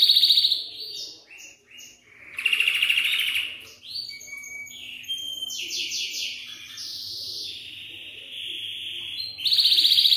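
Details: Varied song of a Belgian canary, played to teach young canaries to sing: quick trills, short slurred whistles and rolling phrases that change pitch every second or two, ending in a bright trill.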